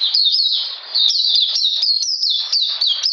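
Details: In cold rainy weather on 13 June 2020, a captive Oriental magpie-robin gives loud, quick, high slurred notes, each starting with a sharp upward flick, in an almost unbroken run.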